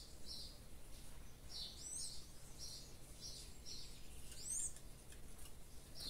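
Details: Double-collared seedeater in a cage held in the hand, singing the revés song style: a steady series of short, high chirped notes repeated about every half second, some with quick upward twists, over a low background hum.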